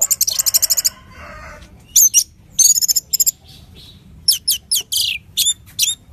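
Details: Strong Orange-headed thrush song meant to stir another bird into singing: a fast trill of about ten notes, soft pauses, then bursts of chatter and loud downward-swept whistled strokes.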